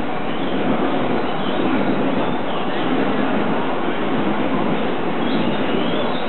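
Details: Dense, even crowd and traffic rumble with murmured speech fills the recording; no animal call is picked out.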